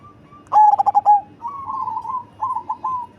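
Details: Bass-voiced, large-bodied perkutut cemani zebra dove giving one loud stuttering coo phrase ending in a sustained note, followed by softer wavering coos.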